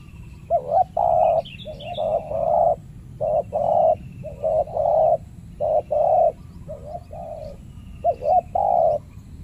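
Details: In a banana plantation, a combative territorial male spotted dove faces a decoy dove set by a trapper, cooing steadily in paired phrases: a short lead-in and a fuller, sustained coo, about one phrase per second.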